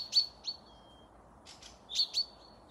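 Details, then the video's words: Woodland birdsong recorded 12 May 2024 by Panika village in Russia's Tver region, Torzhok district: two loud high chirps, then a drawn-out thin whistle, a pause, and another pair of bright chirps ending in a long fading whistle. "пение птиц"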